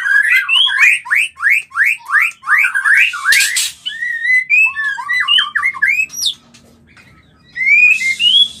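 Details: White-rumped shama mating call to stimulate mating: quick series of sharp rising whistled notes, a harsh rasp, then looping whistles, a brief silence and a final rising phrase.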